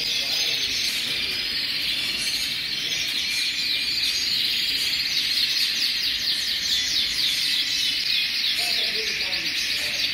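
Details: Hundreds of colorful canaries singing together in aviaries: a dense, continuous wall of high trilling and chirping warbles, many voices overlapping without pause and none standing out.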